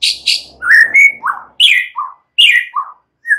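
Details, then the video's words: Young wild forest White-rumped shama singing, used to prompt other shamas to answer: a varied phrase of short whistled and slurred notes, some buzzy and rising, others dropping, separated by brief pauses. "Murai batu PASTI LANGSUNG Nyaut NGEPLONG dan GACOR dengan suara Murai Muda Hutan ini"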